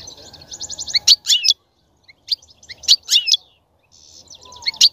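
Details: European goldfinch singing to stimulate a female to mate and breed: high tinkling twitters and buzzy rattles in short bursts separated by brief pauses, with a faint low rumble beneath.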